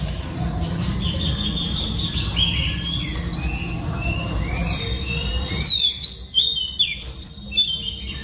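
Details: Female oriental magpie-robin song meant to stimulate males, a string of bright whistles sliding down and up, turning to sharper, louder notes after a brief hush near the end, with constant low-pitched background hum.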